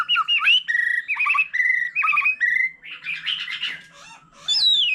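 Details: An old, forest-caught white-rumped shama sings solo with many voices while a laughingthrush sings nearby. Clear rising and falling whistles repeat in short phrases, then a scratchy jumbled passage, then a final high, sweeping whistle.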